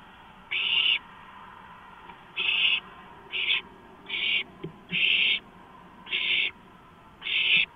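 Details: Raspy hissing bursts from owlets competing for a large rodent delivered at night on 23 March 2015; seven screeches, the first followed by a long gap and then a quicker run, with a brief click between.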